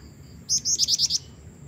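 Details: A female black-winged flycatcher-shrike, used as a lure for males, gives a quick run of six thin, very high chipping notes in under a second over a faint low background hum.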